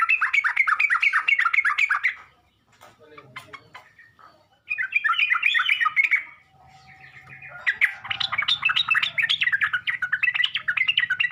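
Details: Sooty-headed bulbul lure song meant to provoke other bulbuls into responding: fast chattering bursts of bubbly notes, two loud runs separated by a quieter pause, then a denser scratchy chatter at the end.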